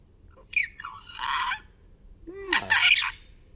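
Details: A talking Amazon parrot outdoors in a yard gives two harsh, raspy, word-like phrases about a second apart, practising Polish words such as "Kuki kocha"; the second phrase opens with a rising then falling squawk, against a quiet hum.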